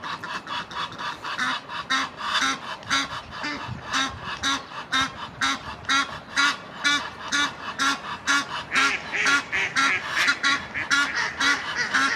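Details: Egyptian geese, a rival gander trying to win back his female: harsh, rasping honks repeated about twice a second in a steady pulsing series, with a lower note under each call, loud and continuous.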